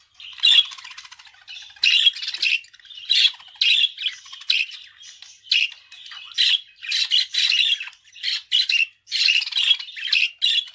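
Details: Budgerigar warbling continuously, scratchy chattering phrases and squawks running together for over ten seconds with barely any pauses.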